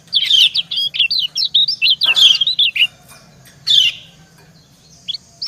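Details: White-eye, a female calling to and answering a male: quick bright twittering chirps with sharp up-and-down slurs, several fast phrases, then a pause and a few scattered notes, with a faint low hum underneath.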